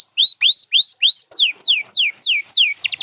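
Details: Canary song from a set of champion birds including Gloster and Spanish Timbrado: loud rising whistled notes repeated about four times a second, switching to falling sweeps, closing with a quick buzzy burst.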